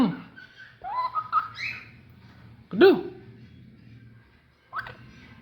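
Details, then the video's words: Talking Alexandrine parakeet producing short separated sounds: a low rough note, rising whistled slurs, a loud arched syllable midway and one last clipped call after a pause. "Alexandrine Parrot Talking"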